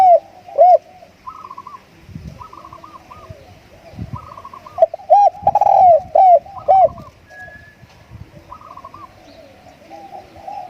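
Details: Decoy spotted dove delivering repeated coo phrases of round, arched notes, each run capped by a long falling coo, with higher tremulous notes and light background knocks in between.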